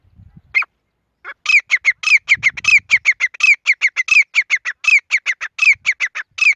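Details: Grey francolin, female, giving one opening note and then a rapid series of clear, ringing, slightly rising squawky notes in quick succession, with faint low rustling early on.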